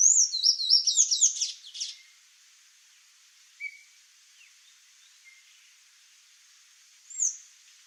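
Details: Sayaca tanager in a Brazilian backyard looking for fruit gives a quick burst of high, thin squeaky twitters, followed by near silence with a few faint chips and one final high slurred note.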